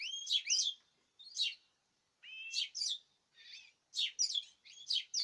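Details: A group of caged birds sings on 2026/03/14 in short bursts of chirps and rising whistles, each burst separated by a brief pause.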